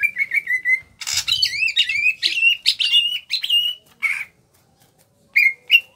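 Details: Small caged greater green leafbird of Kalimantan origin: a steady wavering whistle, then a harsh burst leading into rising and falling looping whistles, a short pause and two final quick notes, sung 'gacor ngentrok'.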